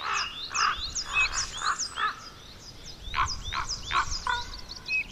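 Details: Young common ravens in Côtes d'Armor, Brittany, give harsh, raspy calls in quick runs, about two or three a second, with brief pauses between bursts and faint high notes behind.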